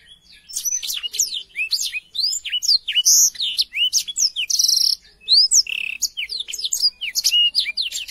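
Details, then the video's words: Continuous, vigorous Black-throated canary song, crisp and clear, made for tutoring young canaries. High chirps, down-slurred and up-slurred whistles and occasional buzzy notes follow one another rapidly with only tiny breaks. "BLACKTHROAT GACOR SUARA JERNIH"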